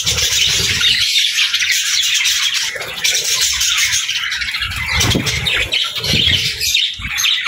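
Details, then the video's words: Singing budgerigars fill the clip with unbroken, high chatter and buzzy squawks, over faint low rumbling. "Parakeet Videos | Beautiful Birds Singing"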